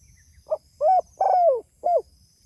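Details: Calling spotted dove reaching out to its companions, one phrase of four cooing notes: a brief soft lead-in, a rounded coo, a long drawn-out falling coo, then a short closing coo, with low background rumble.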